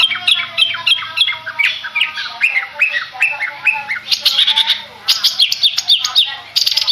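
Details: Long-tailed shrike, Madura type, singing a rapid series of short clipped chirps that builds into denser, higher, sharply repeated notes toward the end.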